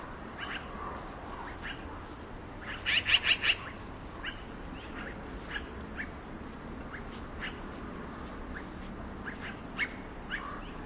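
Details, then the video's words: A black-billed magpie gives a quick burst of about four harsh, rasping chatter notes, followed by scattered softer chips over a steady background hiss. "Black Billed Magpie Sounds"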